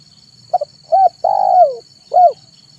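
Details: Zebra dove giving its manggung song in the afternoon, used as a lure for wild doves: a clipped note, a short coo, a long falling trilled coo and a final hooked note, with a steady high-pitched whine behind.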